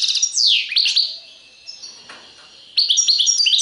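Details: European goldfinch song, Serfati Tiwawati style: a sweeping descending note amid quick twitters, a softer stretch with a thin sustained tone, then a return to bright chirping phrases.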